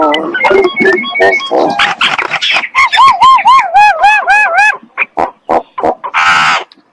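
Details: Common myna singing in the morning: a jumble of gurgling and harsh notes, then a run of quick, wavy, bouncing whistles repeated about four times a second, ending in croaks and a rasping burst.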